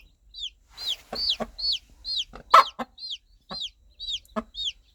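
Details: Mother hen calling her baby chicks with gentle clucking to guide them toward warmth, food and safety: short low clucks in twos and threes among high, downward-curving chick peeps repeated about twice a second.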